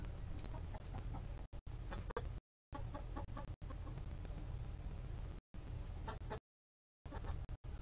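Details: Chickens from a mixed backyard flock of Polish, Golden Comet and Easter Egger birds inside their coop, picked up by a live coop camera: short, soft clucks repeated in loose bursts over a steady low hum, with several brief audio dropouts.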